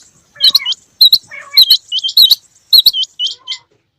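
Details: Quail, male and female, calling in the rain: quick upswept whistles bunched with loud clicks and lower chirping, in bursts about half a second apart.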